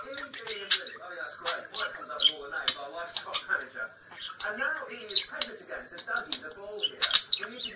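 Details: A pet male budgerigar chatters a fast, squeaky stream of imitated human phrases such as "pretty boy", "good boy", "kiss kiss" and "cup of tea", mixed with sharp chirps.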